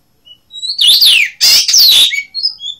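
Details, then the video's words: Blue rock thrush from Asia singing one short, loud phrase: a thin whistled note, then two dense scratchy bursts with sliding whistles, ending in soft high whistles. "Синий каменный дрозд (Азия)"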